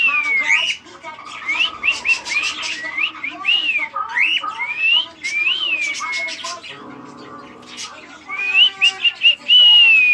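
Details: Pet cockatiel loose in a living room after being petted and stretching his wings: a long whistled sequence of arched notes, fast clicking chirps near the middle, then more high whistles.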